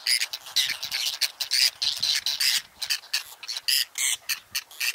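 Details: Nesting colony of whiskered terns in Astrakhan State Nature Reserve, Russia, late July 2017, among lotus and water chestnut; loud, grating calls come in short bursts roughly every half second, several birds calling over each other.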